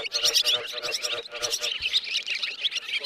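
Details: Swiftlets give sleeping or roosting calls, a dense, continuous chorus of high, rapid chirps and squeaks from many overlapping birds; used to attract swiftlets.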